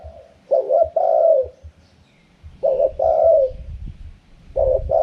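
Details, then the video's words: Spotted dove delivering its wild-style 'karam pa' cooing: a quick low note followed by a longer burry coo, repeated about every two seconds, with faint low thumps between phrases. "เสียงนกเขาใหญ่ คารมป่า 100"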